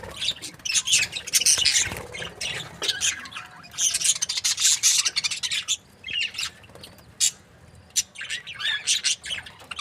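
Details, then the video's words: Budgerigar breeding pairs chatter busily: rasping, buzzy chirps pile up in quick runs, easing into sparser, sharp single notes toward the end. "Amazing budgies chirping sounds"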